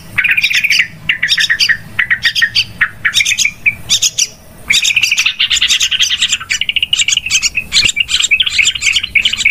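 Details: Yellow-vented bulbul trapping lure sound, very noisy: bursts of scratchy chirps and bubbling chatter, a brief lull around the fourth second, then almost unbroken rapid twittering to the end.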